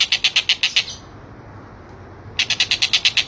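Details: Collared kingfisher used as training material for competition songbirds: quick repeated harsh high notes, a pause of over a second, then another rapid burst of the same notes.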